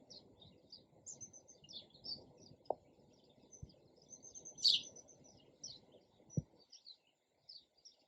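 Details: Sparrow chirping steadily: many quick high chirps scattered across the stretch, one louder chirp near the middle, with a low rumbling background and occasional soft thuds.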